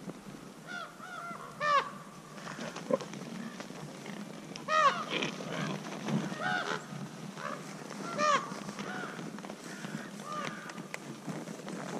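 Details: Common ravens gathered at a wild boar carcass give food-associated 'haa' calls that recruit other ravens to the feeding site, which can be dangerous; harsh, hoarse croaking calls come irregularly every few seconds from several birds, amid rustling and background noise.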